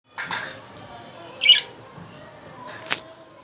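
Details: Three budgerigars give a few short, bright chirps and scratchy squawks, spaced out over a few seconds.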